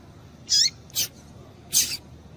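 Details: Double-collared seedeater female calling to stimulate males: three brief, sharp, high squeaky notes, the first with a falling tail, the last slightly drawn out, against a quiet hissing background.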